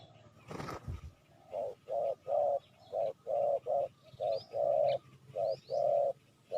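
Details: ['Spotted dove cooing to lure wild doves: a steady series of low, hollow coo notes in groups, some short and some drawn out, with thin high chirps from another bird and a brief thump at the start.']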